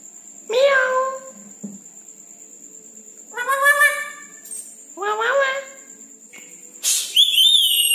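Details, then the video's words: Night-time red-breasted parakeet calls: three loud, rich, slightly rising squawks spaced over a few seconds, then a sharp burst and a higher whistled phrase at the end, with a faint constant high tone. "Nuri Paltem Gacor diMalam Hari"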